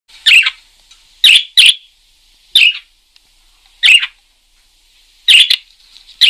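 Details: Parakeet chirping vigorously: short, sharp, bright chirps, some doubled, spaced irregularly about a second apart against a quiet background.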